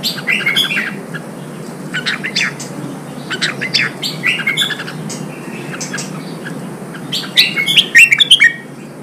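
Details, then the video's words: Red-whiskered bulbul, a wild-caught bird being stimulated and trained for singing contests, sings repeated bursts of bright whistled and chirping notes, ending in a loud rapid flourish, with a low hum beneath. "Kích chào mào bổi hót, kích bổi sổ giọng, luyện chào mào hót đấu"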